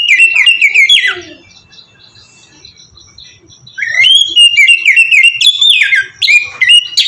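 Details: Ngeplong-style song of an oriental magpie-robin, played as a lure to make kept birds sing: a bright whistled phrase, a quiet gap of nearly three seconds, then a renewed burst of sweet rising and falling whistles.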